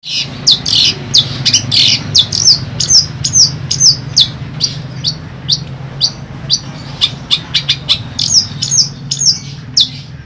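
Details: Caged long-tailed shrike in Central Java, Indonesia, giving scattered high chirps and quick downslurred notes, irregularly spaced over a steady low background hum.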